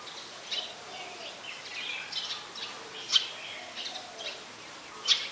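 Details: Brown-throated sunbird recorded at Ubon Ratchathani, Thailand, 2 January 2021, with a Nikon P1000: brief piercing high chirps spaced about two seconds apart, with softer twitters and a steady insect-like hum behind.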